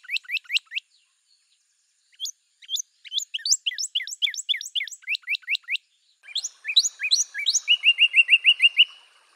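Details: Northern cardinal song: bursts of quick, sweeping whistles, then slurred notes ending in an even, level trill of short repeated notes.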